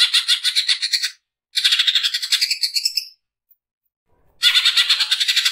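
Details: Greater green leafbird giving a harsh, rapid 'nembak kasar' song as a training recording: dense bursts of fast, grating pulsed notes, each burst about one to one and a half seconds, separated by brief silences, with no other sounds.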